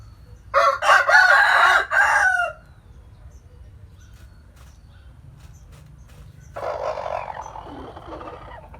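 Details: Rooster in a Vietnamese village at morning giving a harsh, broken crow of several rough bursts over two seconds, followed by a quieter pause and then a fainter, lower crow-like call farther away.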